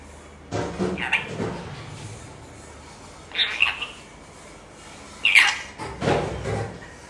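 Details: Pet lorikeet parrot mimicking a human cough: several hoarse, breathy, cough-like bursts spaced a few seconds apart, with a quiet pause between them.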